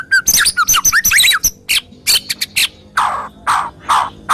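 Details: Murai batu, the white-rumped shama, sings harsh 'tembakan' phrases meant to prompt other shamas to sing. There are quick fluty slurs and chips, then broad, rasping squawk-like notes spaced about half a second apart.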